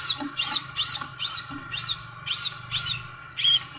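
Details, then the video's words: Scarlet sunbird repeating bright, squeaky arched notes at an even, quick pace, roughly two to three per second, with a faint low hum behind. "BURUNG SEPAHRAJA"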